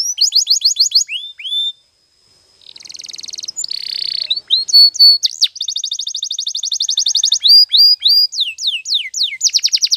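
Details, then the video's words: Canary singing for training, Timbrado type named: quick trilled bursts and falling whistles, a brief pause, a buzzy metallic rattle, then a long fast rolling trill and sweeping downslurs, clean and close. "Your Canary Will Sing Immediately - Canary's Sound Training Every Morning"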